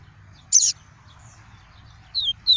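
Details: Double-collared seedeater in tuí tuí song style, used for tutoring young caged birds: a sharp high chirp, then after a pause two quick, clear downslurred whistles in close succession, with faint low background rumble.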